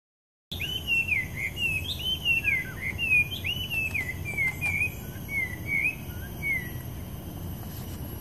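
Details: A Chinese hwamei at Fort Siloso, Sentosa, Singapore, in December 2017 gives a rich run of slurred whistled phrases, rising and falling, repeated rapidly over about eight seconds, with faint insect hiss behind.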